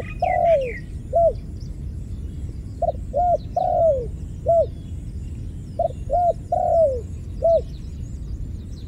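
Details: Dove calling steadily, with roughly three phrases in nine seconds, each of short hollow hoots and a long downward-sliding coo. Brief higher chirps from other birds appear at the start, over low background rumble.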